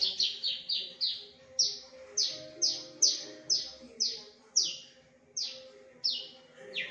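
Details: Loud, clear Javan bush lark song imitating other birds: a series of about fourteen sharp, high, downslurred notes spaced roughly every half second, with a faint steady hum underneath.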